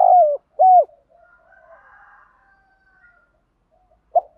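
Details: Spotted dove decoy cooing, used to rouse a caged wild-caught male: two short, low, hollow coos in quick succession, a faint murmur, then one more brief coo.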